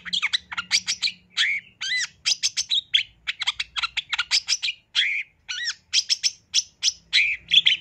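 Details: Long-tailed shrike song used for bird training in Indonesia, a fast run of varied notes: sharp chattering clicks mixed with whistled upward and downward slurs, nearly nonstop with brief pauses, no other sounds.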